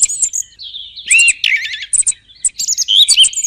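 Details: Song thrush giving varied song phrases: high thin whistles, a loud arched note, a rapid buzzy trill, then more squeaky and warbled figures with short pauses between.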